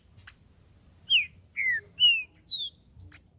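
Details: Green-winged saltator male in macheando song, meant to warm up another male: a few clear, smooth whistles gliding downward and flat, separated by pauses and isolated sharp clicks.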